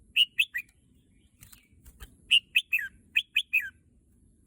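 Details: Bright, bubbling whistled phrases from a red-whiskered bulbul said to be eager for the contest field, given in groups of three notes with a gap between groups.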